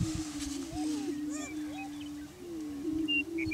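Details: Greater prairie chickens displaying for breeding territory on a Washington County, Kansas lek: an unbroken low booming drone fills the recording, with a few rising whoops in the middle and thin distant chirps.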